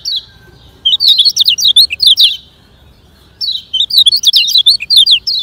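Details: Lemon-bellied white-eye singing fast 'ngejoss speed kenceng' phrases for training slow birds: two dense bursts of rapid, high, wavering whistled notes separated by about a second of quiet.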